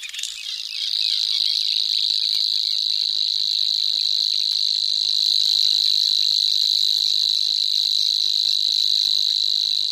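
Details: Locustella grasshopper warbler giving a continuous high buzzing reel, so fast the pulses merge into one steady whirring tone that keeps going with no pause.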